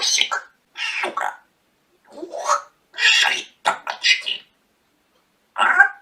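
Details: Talking pet parrot indoors, said to be rude to its owner, producing several clipped speech-like phrases with raspy, high-toned syllables, broken by short pauses, and a final squawky utterance after a silence.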